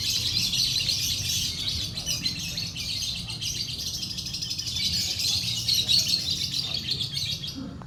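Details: Lovebird singing at a night-time bird singing contest: a continuous, fast, high chattering twitter with buzzy trills running for the whole stretch, over a steady low background rumble.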